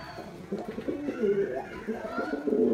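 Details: White male domestic pigeon performing: low throaty cooing with wavering, rolling notes that rise and fall, swelling toward the end, heard close up in a small enclosed space.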